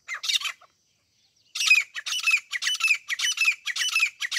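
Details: Grey francolin, known locally as teeter, recorded for hunting: a short harsh burst, a pause, then a rapid run of loud grating notes repeated almost twice per second.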